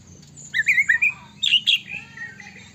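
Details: Brief burst of white-rumped shama song meant to prompt other shamas to sing: a rapid run of bright warbled whistles followed by two loud sharp notes, over a low steady hum.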